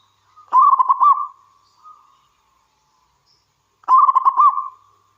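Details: Two rapid, bubbling cooing phrases, roughly three seconds apart, with one faint note between them, from a wild local zebra dove singing frequently, a recording meant to entice other zebra doves to call.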